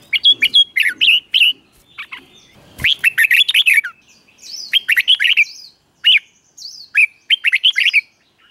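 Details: Doubled (เบิ้ล) song of a caged red-whiskered bulbul, meant for young birds to copy: repeated clear whistled phrases rising and dipping, delivered in bursts with brief pauses, and a sharp click near the three-second mark.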